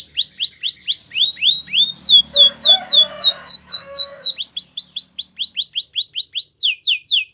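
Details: Canary training song made of fast repeated whistled sweeps in series, briefly broken by a low rough chattering passage before the rapid tours resume.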